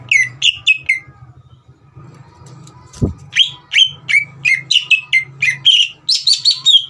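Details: Green leafbird song played to provoke a young bird: whistled notes, a pause with low hum and a single click-like thump, then a lively run of varied whistles ending in higher rising notes.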